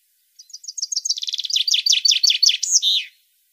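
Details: Captive-stimulation recording of European goldfinch song: rapid high chips accelerating into a rolling, tinkling twitter, finishing with a longer, buzzy drawn note. Nothing else is heard.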